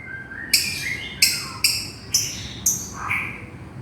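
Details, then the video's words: Lovebird calling its companion with a quick series of six sharp, high, scratchy chirps about half a second apart, each falling slightly, over faint background hiss. "SUARA BURUNG LOVEBIRD MEMANGGIL TEMANNYA"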